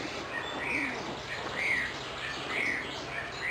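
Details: Eurasian oystercatcher foraging for worms in the ground, giving high, piping, slightly down-slurred notes about once a second, four in a row, over a steady hiss of wind or surf.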